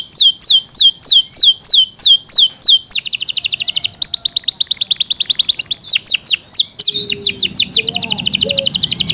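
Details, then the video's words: Yorkshire canary singing loud falling whistled notes, then a long, fast rolling trill; another faint bird call and low background noise join near the end. "Yorkshire canary Nice sound"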